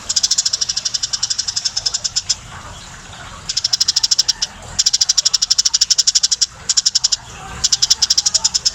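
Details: Eurasian tree sparrow, tame and singing vigorously, pouring out long trains of rapid, uniform metallic chirps, some runs over two seconds, broken by short pauses.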